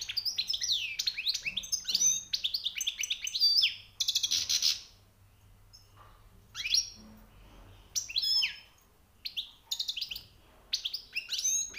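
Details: European goldfinch, newly trapped, with high notes: long twittering runs, a harsh buzzy burst, then separate phrases of bright chirps and whistles spaced by pauses.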